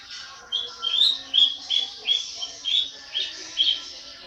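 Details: Long-tailed shrike, young at 80 days old, giving a series of short harsh squawky notes, roughly two or three per second, fairly even in loudness.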